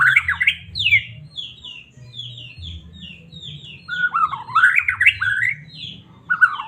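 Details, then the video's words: White-rumped shama of the Medan strain in full song, used to excite caged birds into singing: loud tumbling whistled phrases open and close the clip, with a string of short downslurred notes between, over a low hum. "Murai batu cocok buat pancingan burung anda"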